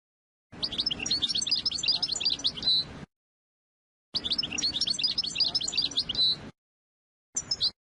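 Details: European goldfinch, captive, singing to teach young birds and to help females get ready for breeding; bright, high twittering phrases of rapid varied notes, each about two and a half seconds, separated by silent gaps.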